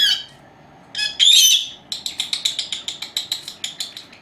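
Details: Pet lovebirds, two four-month-old females, indoors while napping: a couple of loud squawks followed by a fast, even rattle of clicking chirps repeated about five times a second.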